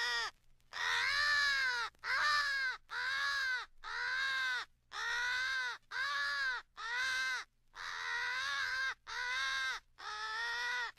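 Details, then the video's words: American crows in a compiled rally call staging a fight with an owl, used for crow hunting: eleven harsh, harmonic caws, each about a second long, repeated roughly once per second with short silent gaps. "American Crow/Owl Rally Call"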